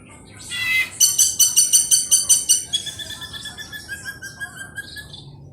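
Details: Ashy drongo song recorded as a lure meant to make other birds start singing: a brief rising note, then a fast series of about a dozen loud, ringing, harmonic notes that slow and fade toward the end.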